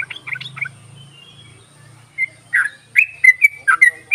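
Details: Yellow-vented bulbul, used as a lure to coax reluctant bulbuls into singing: after a low hum fades, bright chirps near the middle register come in short bursts, faster and louder toward the end.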